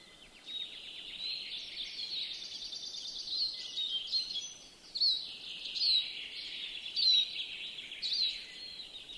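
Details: European greenfinch in a yard in Joroinen, Finland: a continuous high, twittering trill that builds in strength, with short downslurred whistled notes repeated roughly once a second through the second half. Faint background hiss.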